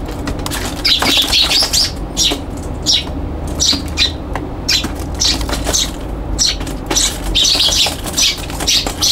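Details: Young Eurasian tree sparrows fight on a balcony on 21 June 2022, with bursts of harsh, rapid chirps and chips and fluttering wingbeats over a low steady background hum.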